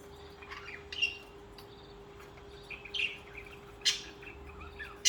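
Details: Budgerigars, social birds kept as pets, chirping: scattered short high chirps and squeaky notes at irregular intervals, a few louder bursts, over a steady faint low hum.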